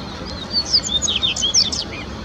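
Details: Yellow-bellied seedeater (Sporophila nigricollis) singing at dawn, before sunrise, in Parque do Sabiá, an urban park in Uberlândia, Minas Gerais: a brief burst of high, quick chirping notes and short slurred whistles over a low outdoor hiss.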